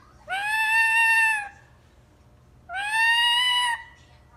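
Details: Ring-necked parakeet kept as a pet, giving two long, harsh, nasal screeches with rich harmonics, each lasting about a second, separated by a pause of roughly a second.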